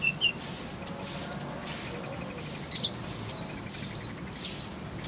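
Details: Brown-throated sunbird song used as masteran tutor material for songbirds, full-fill style with rolling 'tembakan' bursts: fast trills of very high, sharp ticking notes in two bursts, with a few isolated squeaky notes between.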